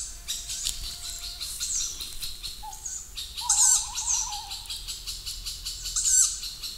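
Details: Fairly large young tawny owls near a parent in an old forest at night give hoarse, hissing wheezes every few seconds; thin whistles and a wavering trill from other birds sound in the background.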